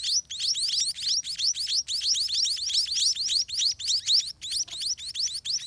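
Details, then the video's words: Scaly-breasted munia, also called spotted munia, chicks begging at the nest as parents feed them: fast, shrill upward-sweeping chirps packed tightly together in an unbroken excited stream, with only short gaps. "Hungry Spotted Munia Baby Eat All Day"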